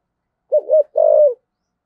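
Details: Spotted dove cooing in 'thổ sấm' style for decoy calling: one phrase of two short low hoots followed by a steady, slightly vibrating drawn-out note that falls at the end.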